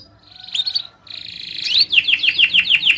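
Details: Master training recording of a canary singing: a soft trill that fades to a brief pause, then a rising trill and a rapid run of sharp downslurred notes.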